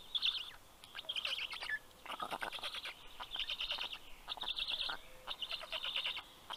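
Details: Black stork chicks, filmed by nest camera in Karula National Park, Estonia, at 11:00 am on 11 June 2023, greet the fish-carrying adult male with stuttering, wheezy bursts in quick series separated by brief pauses.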